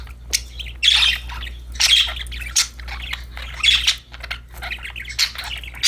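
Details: Budgerigars, happy and playing with a new toy, give raspy squawking chirps in broad noisy bursts roughly every second, against a constant low-pitched background hum.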